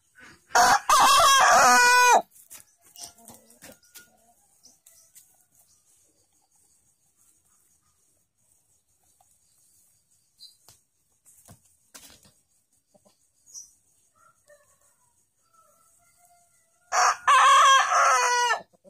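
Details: A black-tongued Ayam Cemani rooster, a rare chicken breed, gives two loud, hoarse crows with a long quiet stretch between them.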